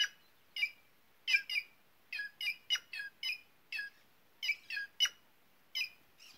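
White-naped jay giving a rapid series of harsh, squawking notes, about a dozen in six seconds, some paired, with no other sounds.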